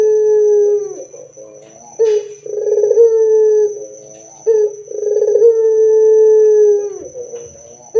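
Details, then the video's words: Barbary dove song used to prompt other doves to sing: two full coos, each a short opening note, then a burred rolling section, then a long, level, slightly falling hum. A faint high steady whine continues in the background. "PANCINGAN SUARA PUTER GACOR DAN KERAS AMPUH UNTUK BIKIN PUTER NYAUT BUNYI"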